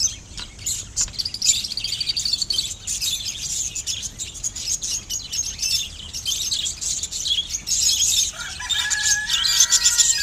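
Budgerigars chatter in a dense stream of high, scratchy chirps and warbles.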